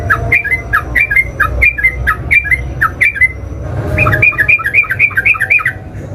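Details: Yellow-vented bulbul lure call: rapid, evenly spaced slurred chirps, about four per second, that speed up into a denser chattering burst toward the end.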